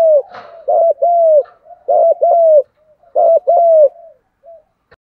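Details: Spotted dove giving the vigorous, strong-voiced 'thúc gù' coo, used to rouse wild doves: three phrases, each a quick doubled hoo-hoo then a longer level coo, with faint low murmurs between.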